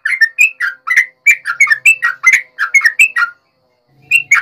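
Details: Lively yellow-vented bulbul fighting song, nggaruda ropel style, used to make other bulbuls respond angrily. Dense run of bubbly, liquid whistled notes rising and falling in quick succession, a short pause, then another burst.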